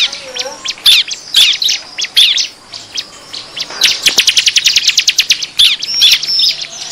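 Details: Bar-winged prinia lure recording used to attract wild birds: loud, busy high chirps and rapid ticking trills, with sharp whistled notes repeated and a dense burst of clicks in the middle.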